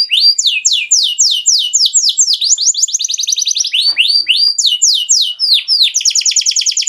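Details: Canary song linked to mating: a series of sharp downward-sweeping whistled notes at about four per second alternates with fast tight trills, finishing on a high rapid rolling trill.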